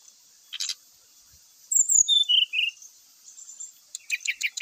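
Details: Song of a brown-chested jungle flycatcher, meant to goad other males into a fight: a brief burst, a pause, then clear whistles stepping downward, followed by a string of quick chattering notes, with faint high background hiss.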